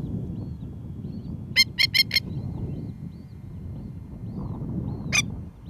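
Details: An adult masked lapwing (spurwing plover) near its ground nest with a newly hatched chick gives four quick, harsh, strident warning notes, then one more a few seconds later. A low steady rumble of wind runs underneath. Recorded in Australia.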